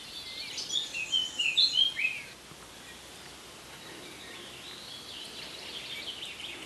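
An Azores bullfinch gives a quick run of short, high whistled notes over about two seconds, then falls quiet against a steady background hiss.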